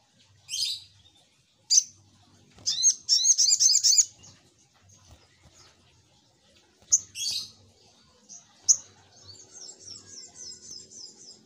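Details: Little Spiderhunter lure sound: sharp high chips, a rapid run of ringing notes, more chips, then a soft high twittering trill.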